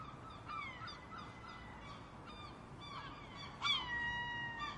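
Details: Seagulls making noise, several calling: repeated short squawks at a quick, uneven pace, then a loud sharp cry near the end trailing into long level wailing notes.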